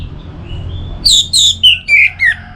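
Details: Orange-headed thrush from northern Bali, Singaraja, singing to stimulate other birds: faint thin whistles, then four loud descending slurred notes in quick sequence.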